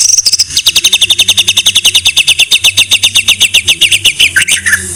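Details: White-rumped shama (murai batu), masteran song: a brisk rattling series of high repeated notes, nearly four each second, ending in two falling whistles, over a low background hum.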